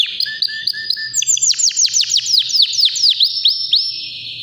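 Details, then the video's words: White canary, about three years old, healthy and ready to breed, singing powerfully: short chirping notes open, then a loud run of rapid downward-swept whistles over a steady high tone, with a faint low hum. "BEAUTIFUL WHITE CANARY NON STOP POWERFUL SINGING"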